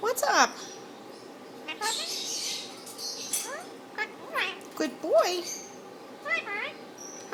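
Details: Indian ringneck parakeet talking to its owner and to another bird in the neighbouring cage; high, squawky, speech-like phrases with sweeping rising and falling notes, several short bursts spread over seven seconds in a quiet room.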